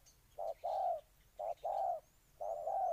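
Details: Spotted dove of Ninh Thuận, Vietnam, cooing three low paired phrases, a short note then a sustained coo, with light high chirps of other birds faintly behind.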